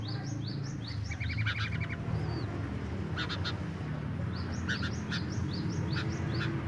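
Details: Mating sooty-headed bulbuls, male and female, mixing high upslurred whistles repeated in short bursts with a brief fast chatter of clipped notes, set against steady low-pitched background noise.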